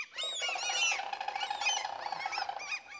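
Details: Close, loud common crane calling in a forest in central Sweden. Harsh, ringing arched notes run over a steady droning tone throughout.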